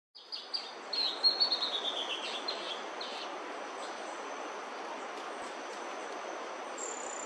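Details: Bertoni's Antbird singing while foraging on bamboo in Brazil: a quick series of high, thin notes stepping steadily downward over about two seconds, against a constant rushing background hiss.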